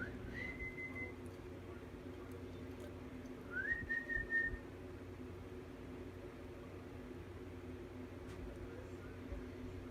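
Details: A pet cockatiel indoors gives two clear whistles, each sliding up then holding steady for about a second, three seconds apart, over a low indoor hum.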